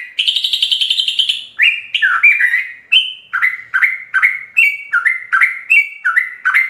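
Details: Sooty-headed bulbul in continuous 'ropel' style singing, full of varied phrases, for training captive birds: a long buzzy rattled note, then a rapid run of short bubbly slurred notes alternating high and low, about two or three per second.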